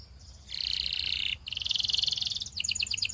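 A Belgian canary sings a loud, high, rapid rolling trill, shifting to a second buzzy trill and then quick repeated chirping notes.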